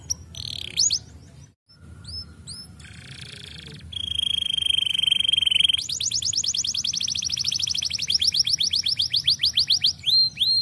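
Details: Canary song played to encourage other birds to sing: varied whistled slurs, a sustained pure tone, then a long rapid rolling trill and spaced sweeping notes, with constant low background noise.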